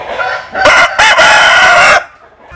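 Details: Chicken crowing in the early morning at dawn, sunning itself; a loud, strained crow broken into a short opening note and a long sustained harmonic phrase, ending abruptly into quiet.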